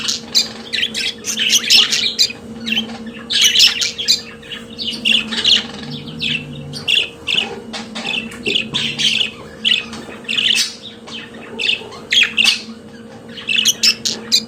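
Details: Long stretch of pet budgerigar chatter: continuous scratchy chirps, squawks and warbled notes in uneven bursts over a constant low hum.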